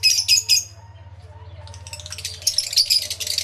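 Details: Lovebirds in an aviary, recorded with two external microphones: three quick bursts of harsh high chatter, a short near-quiet gap with a low hum, then a wash of overlapping squeaky calls.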